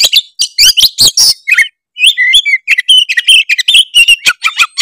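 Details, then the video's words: Oriental magpie-robin of the tretes type, singing vigorously with a song full of varied fill-in phrases, used as a lure to provoke rival birds into singing. Loud, high whistles, rapid chattering notes and buzzy trills come in dense bursts separated by brief pauses. "pancingan kacer tretes gacor full isian bikin lawan auto emosi denger suara kacer tretes satu ini"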